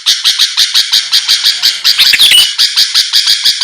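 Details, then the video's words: Sooty-headed bulbul singing to draw rivals into responding: a rapid train of harsh, squawky chirps, nearly three per second, with a short bright whistled twist just past the middle. "pancingan Suara burung kutilang gacor⁉️lawan langsung merespon cepat"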